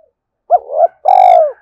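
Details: Single spotted dove phrase from a decoy bird luring wild males, with a quick upturned note, a rasping rise and a full sustained coo falling away at the finish, otherwise quiet.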